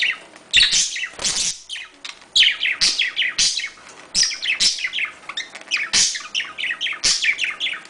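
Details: Budgies chattering in a mating call meant to prompt breeding: busy warbling of rapid high chirps and harsh squeaks, broken by brief clicks and short lulls.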